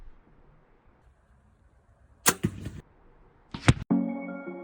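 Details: Quiet background, then two sharp broadband arrow-like impacts followed by music, with no turkey or other animal call.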